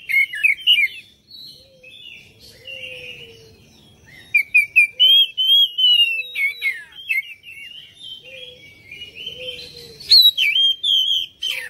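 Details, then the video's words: Oriental magpie-robin song played to coax other birds into singing: a long, varied run of rich whistles, quick chirps and fluid trilled phrases, loud in bursts, with a soft low whistle heard now and then. "PANCINGAN KACER ANTI BISU"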